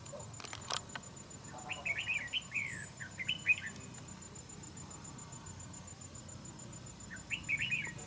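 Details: Red-whiskered bulbul at a fighting trap: a run of rapid chirpy warbled notes lasting about two seconds, a lone high note, then another short phrase near the end, with a few clicks at the start.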